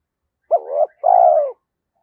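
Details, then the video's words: A single spotted dove challenge phrase, the 'thổ' voice meant to draw wild doves quickly in: a short wavering opening note, then a drawn-out mellow coo sliding downward. Quiet otherwise. "cu gáy thúc đấu, bổi nghe nhanh về cội"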